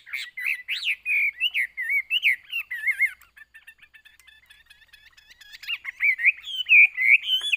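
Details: Chinese hwamei kept as a cage bird, pouring out varied warbled whistles, dropping to a soft, scratchy twitter in the middle, then resuming with clear rising phrases.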